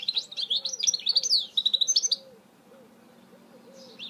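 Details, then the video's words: Hybrid goldfinch mule song recorded in 2018, a fast run of bright, high twittering and trilled notes for about two seconds, then quiet with soft low repeated notes beneath, before a short high phrase resumes at the end. "Chant mulet chardonneret تغريد هجين الحسون"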